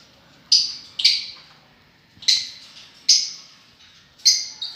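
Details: Five short, sharp, high-pitched chirps from lovebirds, described as enjoying themselves, spaced irregularly about a second apart, each cutting off quickly, over a faint low background rumble.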